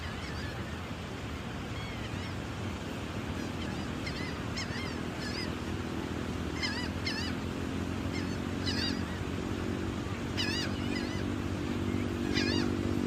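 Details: Several gulls calling while being fed: many short, nasal, chevron-shaped cries repeated in quick clusters, growing denser toward the end, over a constant low rumble and drone.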